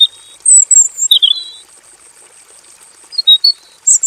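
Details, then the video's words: Male robin in a simple aviary singing; high clear whistled notes and a descending warbled phrase open, a quiet gap follows, then brief chirps and a high squeak at the end over a continuous thin whine. "KICAU BURUNG ROBIN JANTAN GACOR NGEROL PANJANG FULL ISIAN DI KANDANG AVIARY SEDERHANA"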